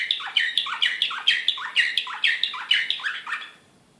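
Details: In Belgrade, 2016, an excited Serbian Slavujar canary delivers loud, sharp repeated notes, each dipping low then rising bright, about twice a second, ending abruptly into silence.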